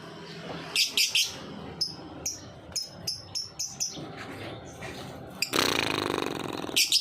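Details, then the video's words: Lovebird ngetik song used as a lure to stimulate young lovebirds: a run of quick, high ticking chirps roughly every half second, then a dense noisy rustling burst near the end. "Burung Lovebird ngetik pancingan lovbird paud"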